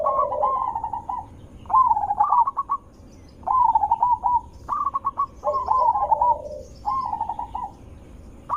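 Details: Zebra dove lure call, described as loud and melodious, meant to trigger replies: repeated phrases of fast, clipped coos ending in a smooth rolling trill, spaced by short pauses.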